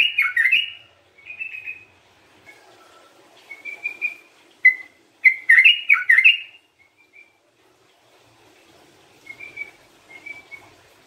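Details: Gacor sooty-headed bulbul, recorded as a lure and for therapy, gives bubbly warbled phrases of swooping whistles separated by pauses, with softer short whistled notes later on.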